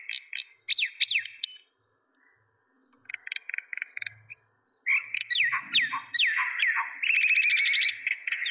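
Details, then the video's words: Common myna (shalik) calling: repeated falling whistles and scratchy chips, a quieter stretch of ticking notes, then rapid strings of bright downslurred whistles and chatter. "Mena Birds ( শালিক পাখি )"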